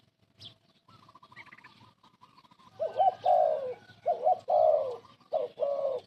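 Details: Old decoy spotted dove used for bird trapping: a few faint murmurs, then loud mellow coos, each a quick double note before a longer throaty roll, three rounds in close succession.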